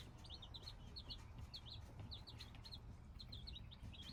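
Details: Hybrid chicks cheeping in clusters of quick, shrill, falling peeps, many calling together over a steady low background hum.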